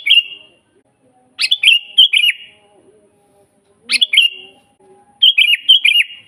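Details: Sooty-headed bulbul in full natural song, used as a master recording for captive birds: four brief, bright phrases of warbled, up-and-down notes with short gaps between, no other sounds clearly heard.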